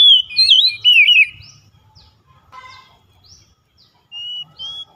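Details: Kacer, the Oriental magpie-robin, on a daily lure track for a reluctant singer: a loud burst of fast, twisting whistled notes for just over a second, then soft chirps, a short buzzy note, and two clear whistles near the end.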